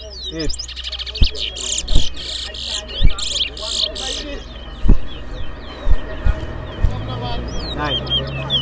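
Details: ['Towa Towa bird whistling during a head-to-head competition: bursts of rapid high chirping trills alternate with thin slurred whistles, punctuated by sharp low knocks and a constant background hum.']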